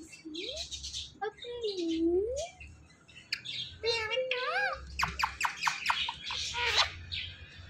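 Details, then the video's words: Two pet talking parrots: sliding whistled notes, harsh squawks, buzzy nasal calls and quick chattering bursts, with faint background voices. "TALKING PARROT"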